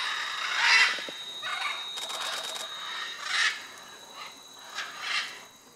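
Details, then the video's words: Scarlet, red-and-green and blue-and-yellow macaws at the Chuncho clay lick, Tambopata National Reserve, Tambopata River, Peru: harsh, raspy screeches every second or so, several birds overlapping in a noisy chorus. "MACAW CLAY LICK"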